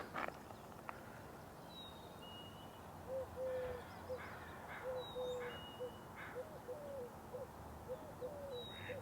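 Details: Eurasian collared dove in a marsh-side tree on a May 4 morning giving soft, low, hollow three-note coos; another bird adds thin high whistles about every three seconds over steady outdoor hiss.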